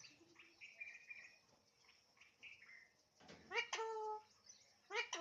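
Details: Alexandrine parakeet talking, starting with soft whistled notes. Later come a sharp burst and a loud, rich, harmonic falling phrase, then a final short bright call.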